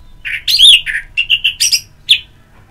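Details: Orange-headed thrush in ngeplong-style song, played as morning-to-afternoon therapy to stimulate singing: a rapid run of high whistled and buzzy notes, some sliding, in one dense phrase, then quiet.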